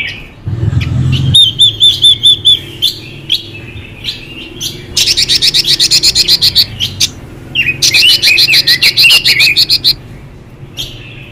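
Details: Female Chinese hwamei singing to stimulate males: a run of arched whistled notes, then two loud bursts of rapid, dense, chattering high notes with slurred whistles between, after a brief low thump near the start.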